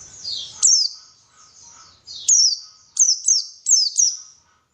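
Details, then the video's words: White-eye lure song to get birds singing vigorously: a soft high trill, then loud, sharp, high downslurred notes in short pairs and singles with brief gaps. "PANCINGAN BURUNG PLECI SUPAYA GACOR"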